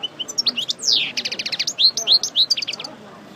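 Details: Parva goldfinch coming out of moult, practising its song again: a fast, dense run of bright, high twittering notes with a long sweeping buzzy slur, rolling trills and sharp rising chips, delivered continuously.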